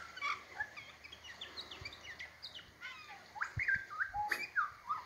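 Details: Australian magpie in Tasmania, a local bird singing for its food and showing its mimicry repertoire; a varied jumble of warbled, whistled and chattering notes, with clearer rising whistles in the second half and soft background noise.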